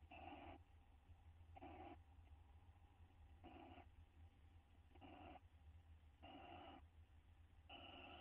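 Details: Owl pair in a nest box, bonding, recorded May 9, 2011; harmonic, nasal calls about half a second long repeated roughly every second and a half, over a steady low electrical hum.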